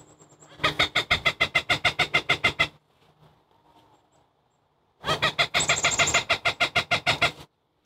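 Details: Cooper's hawk in Chicago, November 5, 2023, scolding a long-eared owl it is harassing: two loud runs of harsh, evenly spaced cackling notes, roughly three per second, separated by a quiet pause with a faint high whistle.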